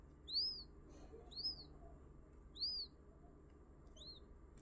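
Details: Freshly hatched quail calling with clear, high, curved peeps that sweep up and drop away, four spaced notes roughly one to one and a half seconds apart against quiet low background noise.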